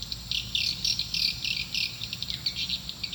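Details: Swiftlet lure calls meant to draw swiftlets to a nest building, heard as fast, buzzy high chirps in quick irregular bursts over a low background hum.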